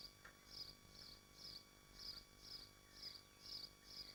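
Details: Nesting swifts in Machynlleth, Dyfi Biosphere, screaming at the nest: a fast even series of shrill buzzy notes, about two per second throughout, over a humming background.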